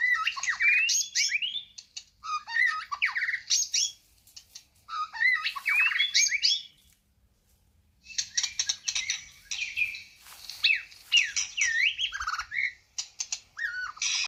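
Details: White-rumped shama singing a long series of varied phrases mixing fluty slurred whistles with rasping notes, interrupted by a silent gap around seven seconds.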